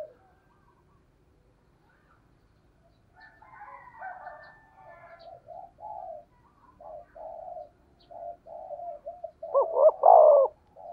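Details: Spotted dove of the thunder-voice style, used as a lure for other doves. Long run of soft, muffled, evenly spaced coos, ending in one loud double-hoot and drawn-out falling coo.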